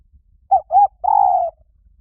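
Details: Spotted dove call used as a decoy to lure wild doves: three low hooting coos, two short notes followed by a longer drawn-out coo, in a quiet setting.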